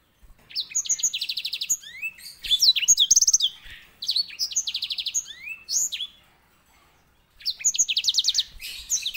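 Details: White-rumped seedeater, also called grey singing finch, singing as a master bird for tutoring canaries. It gives high sweet phrases that mix fast buzzy trills with slurred whistles, broken by a short pause before a final trilled phrase.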